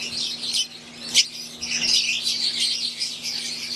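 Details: Wild-type green Fischer's lovebirds with Euwing lovebirds in an aviary: high chattering chorus with one sharp louder squeak early on, then steady overlapping chirps, and a low hum running underneath.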